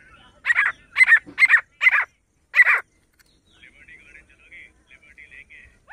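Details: Grey francolin uttering five loud, grating notes in quick succession, then stopping, while a thin, wavering whistled trill from another bird continues softly afterwards.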